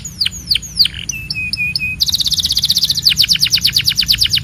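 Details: Belgian canary song with several long falling slurs, a short series of level whistled notes, then a dense, rapid high trill of repeated pulses; faint low hum beneath.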